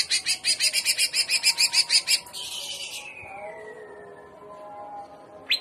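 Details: Greater green leafbird singing a jamtrok trotolan phrase in 'gaya udang' style: a fast buzzy rattle of about fifteen pulses over two seconds, ending in a long downward-sliding hiss, then near quiet until a final sharp note.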